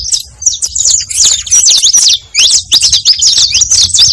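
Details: Saffron finch, called canário-da-terra, singing to attract other birds: a dense run of sharp, high chirped notes and quick slurred phrases, nearly continuous with a brief pause mid-way.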